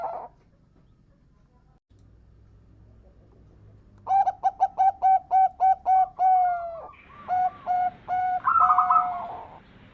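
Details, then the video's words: Zebra dove, a local champion lure bird for prompting others to sing: a fast train of around ten staccato coos, then lower longer coos and a higher trilling, rolling phrase at the end. "Perkutut lokal gacor RAJA PIKAT ini bikin semua burung perkutut gacor nyaut"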